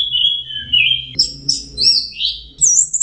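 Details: Orange-headed thrush in full song, opening with a long sustained whistle, then quick high slurred notes and warbling phrases over a steady low hum.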